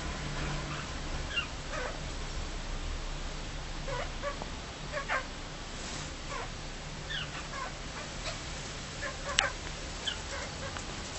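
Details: A pet cockatiel, while being stroked, gives soft, high, scratchy chirps in irregular bursts, roughly one every second, over a steady low indoor hum.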